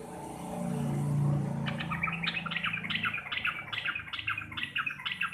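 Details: Sooty-headed bulbul, local Javanese kind, in chattering 'receh' song: after a second and a half of loud low droning noise, quick repeated bursts of sharp whistled notes roughly twice a second continue to the end.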